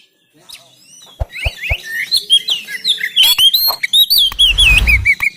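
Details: Oriental magpie-robin singing in Banten, captured on an Android phone for training birds to sing: a few dry clicks lead into a fast, varied stream of looping whistles and twittering trills, with a brief low rumble underneath.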